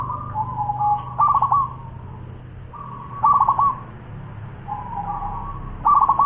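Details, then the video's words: Fast song of a 10-month-old local zebra dove against a steady low background hum: long level coos each broken by a short burst of rapid stuttering notes, repeated roughly every two seconds. "Suara perkutut lokal cepat usia 10 BULAN"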